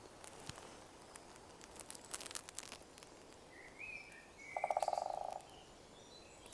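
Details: A Great Spotted Woodpecker drumming in a cemetery at dawn on International Dawn Chorus Day gives one rapid drum roll, under a second long and fading at the end, while another bird whistles and scattered taps sound nearby.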